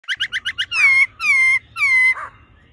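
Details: Laughingthrush, female calling and male singing in an 'old forest voice' style, meant to rouse a male quickly: five quick buzzy harmonic notes, then three long, loud, slightly falling whistles.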